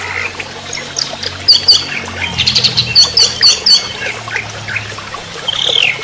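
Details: Anis merah, or orange-headed thrush, trotol song: a row of crisp, evenly spaced high clipped notes, then a short downslurred whistle, over a low background hum.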